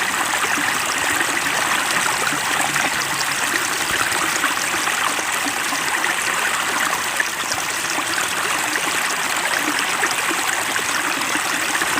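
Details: Steady rushing water like a flowing stream fills the recording, with no animal calls.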